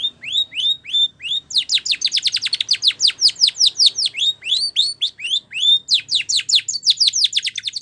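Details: Spanish Timbrado canary training song: a few rising whistled slurs, then long rhythmic runs of fast descending notes alternating with rising phrases, sustained and high-pitched for nearly eight seconds.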